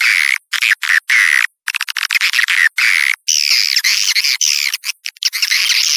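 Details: Swiftlet calls played outdoors to attract birds from outside: dense buzzy, chattering twitters in rapid bursts separated by brief gaps, with a steady high hiss.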